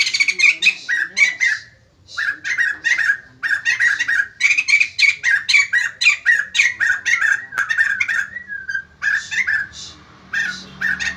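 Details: Caged white-crested laughingthrush in energetic song, prompting other birds to respond: rapid chattering run of loud, harsh-edged notes around mid pitch, repeated several times a second in bursts, with brief pauses near two and eight seconds.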